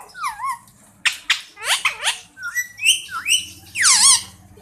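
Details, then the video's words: Indian parrot talking, saying Mian Mithu, with clear swooping, voice-like syllables that rise and fall, followed by a loud harsh squawk at the close. "Indian Parrot saying Mian Mithu..Talking Mian Mithu.."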